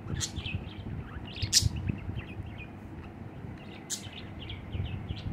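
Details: Budgerigar perched on a person's hand, singing: scattered short chirps and warbled notes with sharp clicky bursts, over steady low background rumble.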